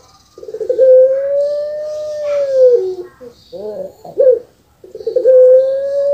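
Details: Puter pelung dove, a caged pet bird famous on Java, Indonesia, gives a sustained, smooth hooting coo lasting about two seconds, followed by short gurgling, bubbling notes and a sharp note, then a new long coo begins.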